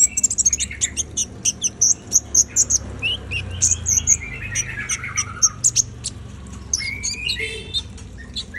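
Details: A konin, the brown-throated sunbird, in energetic song: a fast, steady series of piercing high chirps runs throughout, interleaved with falling slurred whistles and a short trilled burst near the end.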